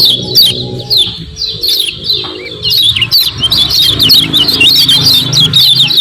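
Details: Common iora in lively 'ciak ciak' chatter, used to stir kept birds into calling: fast sharp chirps, roughly three to four per second, grow denser toward the end, over a low engine-like hum.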